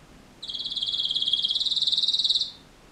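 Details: Singing canary delivering a long, rapid trill of about two seconds, evenly pulsed high notes that swell in loudness and stop abruptly, with light background hiss.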